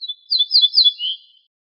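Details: Song of an ortolan bunting, Moroccan name al-bouh al-fassi, taken from a compiled wild-bird song tape: a few quick lead notes, three repeated high sliding whistles, then a softer lower whistled ending, with clean silence around it.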